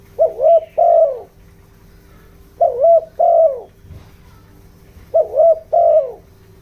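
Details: Spotted dove used as a lure for wild doves, giving a bronze-toned pressing coo: three mellow two-part coos, a clipped note then a drawn-out falling one, spaced about two and a half seconds apart over a faint hum.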